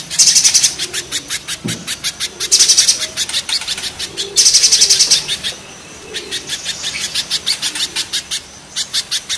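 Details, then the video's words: Spiderhunter, mountain against banana spiderhunter: rapid piercing chips interrupted three times by dense buzzy rattles lasting about a second, then a short lull before the chipping resumes at a brisk rhythm. "Raja kasarnya kolibri pijantung gunung vs pijantung pisang"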